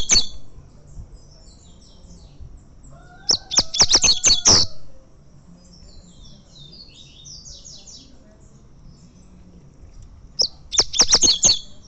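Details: Prize-winning coleiro, a Double-collared seedeater, trained for fibra tournaments: two bursts of rapid, sharp high chips, each about a second and a half long, separated by a quiet gap. Distant twittering birds are heard faintly, along with a low hum.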